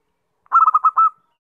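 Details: Lure call of a zebra dove: one brief phrase of rapid, purring coo notes, several short pulses then a held final note fading away, heard against complete silence.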